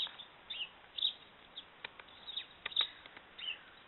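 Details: Great spotted woodpecker in Austria in January 2017, giving short sharp high notes at irregular intervals, mixed with faint dry tapping clicks.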